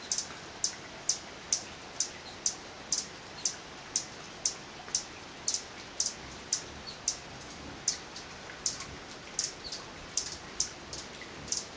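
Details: Rainy-day song of a male Violet Sabrewing in Guatemalan cloud forest: a long run of about twenty-five short, high, sharp chips, spaced roughly half a second apart and quickening slightly near the end, over quiet background hiss.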